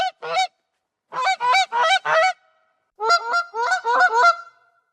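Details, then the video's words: Series of strong nasal goose honks in clusters: two quick notes, then four loud honks, then a rapid group of five slightly rising calls with a lingering tail, silence between. "SOM DE GANSO"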